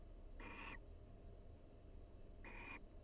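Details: Relaxed barn owl pair in a University of Florida nest box calling quietly to reinforce their bond in breeding season; two short breathy rasps two seconds apart against a low background hum.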